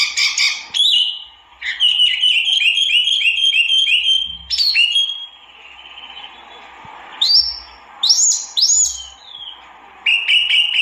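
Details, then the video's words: White-eye called tieu mi or wambi mini: rapid bright chattering, then a long series of quick repeated whistled notes, a quieter spell, and a few loud rising chirps. "kicau burung tieu mi atau wambi mini"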